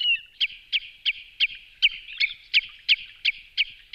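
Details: Common redshank calls used as a lure: short sharp whistled notes repeated about three times a second in a steady series over a continuous high background hiss.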